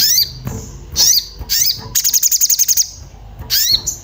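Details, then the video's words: Agitated Orange-bellied flowerpecker seeking a mate, sound used as a lure to prompt singing: sharp high call bursts, then a fast run of about a dozen clipped, ticking notes, then another harsh burst. "Cuit cuit sogon emosi mencari teman untuk pancingan bunyi"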